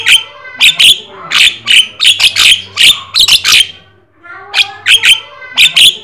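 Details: Jalak kebo or jalak sungu, the black-winged starling, singing gacor to stimulate other birds: loud broadband squawky notes with whistled overtones, bursting roughly every half second, a brief lull near four seconds, then more harsh bursts.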